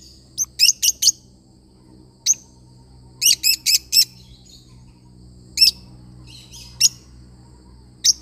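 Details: Lovebird parrot chirping in clusters of piercing, high notes, three or four in fast succession, then single chirps spaced a second or more apart over a faint low hum.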